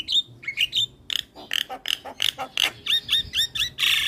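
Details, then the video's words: Javan myna singing actively with head-bobbing, recorded to train other mynas: a lively jumble of harsh squawks, sharp clicks and bright whistled notes in quick succession, closing with a run of repeated chirps and a loud rasping burst. "Masteran Jalak kebo Gacor Manggut Manggut"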